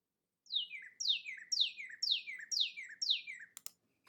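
Northern Cardinal: six clear, sharply down-slurred whistles, about two per second, each sliding from high to lower pitch, ending with a couple of soft clicks.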